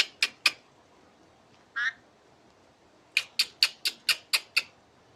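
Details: Asian pied starling, a bird said to sing like a laughing person; two harsh clipped notes, a brief nasal squawk, then a run of seven sharp, evenly spaced laugh-like notes over a faint hissing background.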